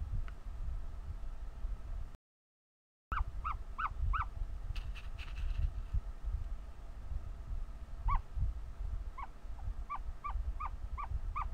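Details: A hatching ostrich chick, very vocal while still hatching, gives short, clear peeps in quick runs of three to six, each slightly falling, over a low rumbling background.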